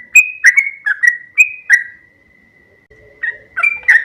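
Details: Trucuk kebo, a yellow-vented bulbul, giving a few loud, chirpy whistled notes, then a long thin steady whistle and a pause before a faint hum and more quick notes.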